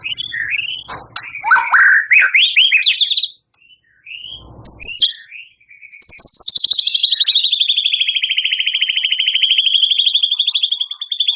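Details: Champion white-rumped shama, a kept songbird, in full 'gacor' song with 'tembakan' bursts and 'isian' imitations. Varied chirps and slurred notes come first, then after a pause a long, loud, rapidly pulsed trill holds steady at high pitch for five seconds.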